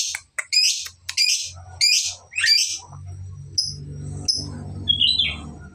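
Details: Young lovebird learning long ngekek trills; five loud rasping high chirps in quick succession, then a few faint squeaks over a steady low hum.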